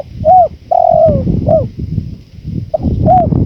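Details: Spotted dove cooing, from a training track with natural wind. A short hoot, a long gliding coo and a hooked note, then after a pause another pair of brief coos, all over a low wind rumble.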